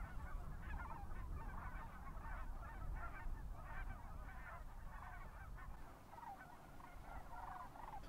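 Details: A large gaggle of Canada geese on a pond at a refuge during spring migration gives overlapping nasal honks, two or three a second, with no steady rhythm, over a low rumble of wind or traffic.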